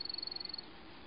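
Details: A singing male Baird's Sparrow on its territory in North Dakota gives a song ending in a thin, very high, level trill of rapid even pulses, lasting about half a second before a quiet hiss.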